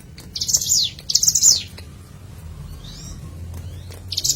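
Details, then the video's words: Hill prinia, locally ciblek gunung, in a natural recording meant as a lure: two short, harsh, high chattering bursts with downward sweeps, a thin faint note, then silence and a final burst. "Pancingan CIBLEK GUNUNG Suara Asli Alam"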